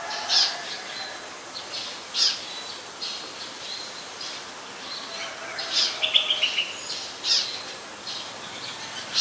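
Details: Streak-eared Bulbul, a very common resident, recorded in Ubon Ratchathani, Thailand, on 20 January 2021: scattered short, sharp chirps at irregular intervals, with a quick cluster of notes after six seconds over a soft hissing background.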